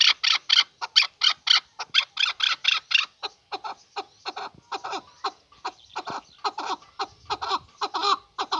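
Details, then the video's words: A male chukar partridge repeats harsh, bright chucking notes in a long, slightly uneven series that stays fast and rhythmic throughout. "Kınalı erkek keklik sesi"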